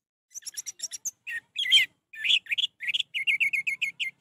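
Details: Orange-headed thrush song, played to coax a reluctant, silent bird into singing: a rapid, varied run of high chirps and short whistled phrases, with buzzy slurred notes in the middle and a closing string of evenly repeated chirps.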